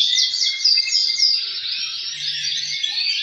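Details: Male canary song, with other males replying to a leading singer to encourage breeding. Quick looping whistles and rapid trills layer into a bright, unbroken tangle of high notes.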